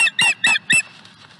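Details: Osprey at Dunrovin Ranch, May 2020, during a fish delivery to the nest: four quick, high, squealing chirps about a quarter second apart, then quiet.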